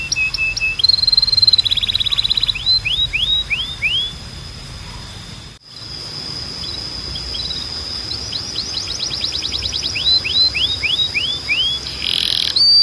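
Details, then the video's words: Canary singing as training audio for young canaries: scattered short whistles and a buzzy roll, then series of rising slurred notes and a rapid trill, with a steady high tone and a brief break midway. "A Canção de Treino Mais Poderosa da Canary"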